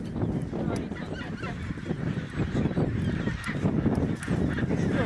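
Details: Chinstrap penguins mating in Antarctica give harsh, honking brays that overlap into a dense, steady colony chorus, with a low rumble of background noise throughout.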